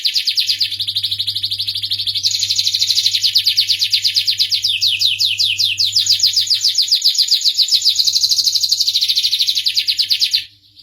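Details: Starblue canary in long unbroken song, shifting between fast rolling trills and slower swooping downslurred notes, ending abruptly after about ten seconds; faint low hum in the background.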